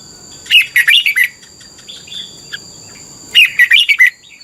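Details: Caged red-whiskered bulbul in Thailand singing, recorded as a training track for young birds. Two bubbly phrases of five quick whistled notes, separated by soft scattered chirps, with a thin continuous high tone throughout.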